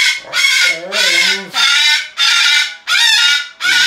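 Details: Umbrella cockatoo, a 23-year-old rescued female kept as a pet indoors, giving six loud, harsh, raspy screeches in a row, each about half a second long, with short gaps between them.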